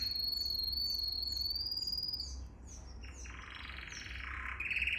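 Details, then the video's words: Training song of a canary for young birds to learn: a long, high, slightly rising whistled trill gives way to dense, fast rattling rolls and short sweeps, over a low background hum. "Most powerful song for training Canary"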